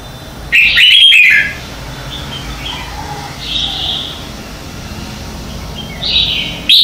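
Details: Red-whiskered bulbul morning contest song used as a decoy for training: a loud burst of bright whistled, warbling notes near the start, softer answering phrases in the middle, and another loud phrase at the end.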